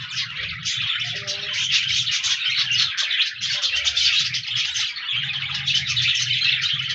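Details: Budgerigars chirping together, recorded 14 January 2024: steady, crowded high-pitched warbling and twittering with brief lulls, and a low hum running beneath.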